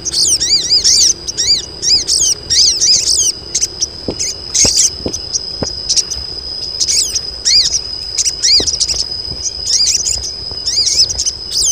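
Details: Group of female crested jays in breeding condition, calling to lure males; quick bursts of high, chirping, up-and-down notes with harmonics in rapid series, pausing briefly between bursts, over a steady high insect-like whine and occasional clicks.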